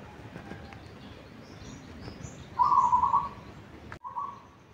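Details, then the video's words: Local zebra dove from Tuban, Indonesia, already singing at three in the morning as a pre-dawn wake-up bird, used as a lure recording; one rapid bubbling burst of low coo notes, then a brief fragment, over faint background hiss. "perkutut lokal tuban alarm tahajjud Jan 3 sudah manggung"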